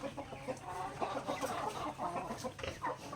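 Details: Native chickens in a backyard pecking grains during their daily meal; rapid murmuring clucks from several birds overlapping continuously, with light pecking taps.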